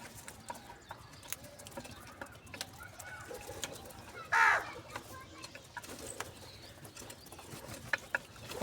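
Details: Morning crow calling for food while being fed cheese and salty food: a single short, harsh caw in the middle of a quiet stretch with faint background noise.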